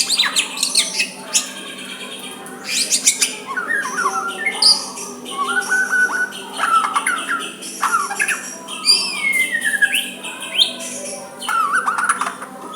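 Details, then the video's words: White-rumped shama giving a soft song meant to provoke a rival into replying, a varied run of whistled notes, rising slurs and sharp chips with short pauses, plus a steady low hum underneath. "Murai batu suara lembut cocok untuk MEMEKAT lawan ikut emosi dan saling balas"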